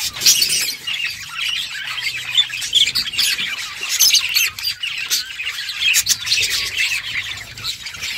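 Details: Budgerigars playing together give continuous high twittering and rasping chatter, with short loud squawks scattered through the stretch.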